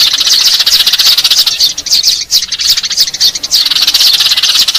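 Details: Eurasian tree sparrows heard as a lure sound: thick, shrill chattering of a flock, with rapid chirps overlapping into a steady twitter that briefly thins around the middle.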